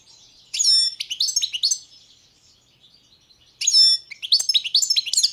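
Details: Two bright twittering phrases, each opening with clear descending whistles then quick chirps, sung by a caged Balkan goldfinch (Carduelis carduelis balcanica) in the 2022 World Championship in Goldfinch Song, with a quiet pause between.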